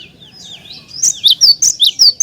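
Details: Energetic cinereous tit song for stimulating other tits to sing. Soft rising whistles lead into six loud, high, clipped notes in quick succession, about four per second.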